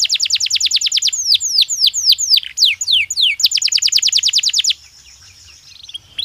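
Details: Natural canary song inside a cage during breeding season: a rapid roll of falling notes, slower swept whistles, another fast roll, then quiet.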